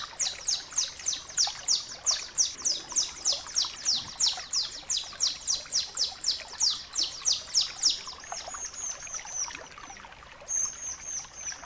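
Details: Bar-winged prinia in rapid 'ngebren' song, used as tutor audio for birds in training. About twenty-five loud, high, downward-sweeping whistles pour out steadily, then fade into softer, thin, high buzzing notes.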